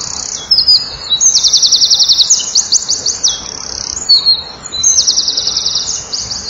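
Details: Loud song of a male Eurasian wren singing for females nearby, filmed at a breeding-wall camera on 7 June 2012 at 16:57: two long bursts of very high, fast rattling trills with sharp piercing notes between them.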